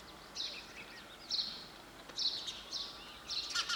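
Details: Sparrow giving a run of sharp, high chirps roughly every half second, ending in a louder cluster of notes.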